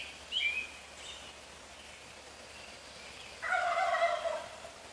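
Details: Pre-dawn gobble at 4:45 AM from a male wild turkey living in the neighbourhood, only a few feet off: after a few high songbird notes comes a loud, throaty, rapidly rattling gobble of just over a second.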